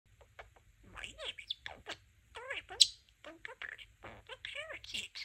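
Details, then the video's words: Pet budgerigar, a talking parakeet, chattering a rapid run of speech-like phrases: gliding, warbled syllables mixed with sharp chirps and one high click, with brief pauses between bursts, indoors. "Talking Parakeet"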